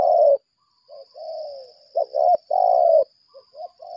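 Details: Caged decoy spotted dove of the 'lambung kuk' kind in a fighting display, giving long mellow coos and short clipped notes in a run, with a click and a constant high-pitched hum in the background.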